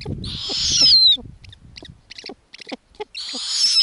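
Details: Snowy owl owlets at an Arctic nest, where their mother feeds them lemming, give two harsh, hissing screeches, each close to a second long, with soft clicks and taps in the quiet gap between them.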